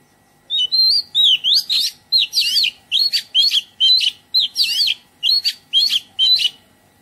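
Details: Oriental magpie-robin in a garden delivering melodious song, about a dozen rapid phrases of looping whistles with harsh, buzzy edges, steady and loud, no other sounds standing out.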